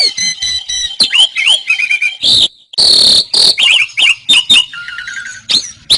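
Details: Kept Asian pied starling singing for bird-training: chattering series of quick downslurred whistles, harsh broadband bursts and short twittering notes, delivered in busy phrases with a brief pause midway.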